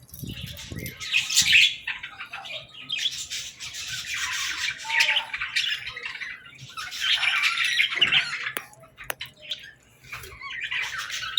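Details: Baby budgerigars playing and talking: bursts of scratchy chatter and squawky chirps in uneven waves, separated by quieter gaps with a few sharp clicks.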